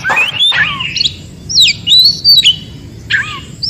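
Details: Wild-sounding forest song of an Oriental magpie-robin, meant to make other magpie-robins answer. A brief harsh note opens a sequence of bright, wavering whistles and slurred phrases, followed by a short scratchy call.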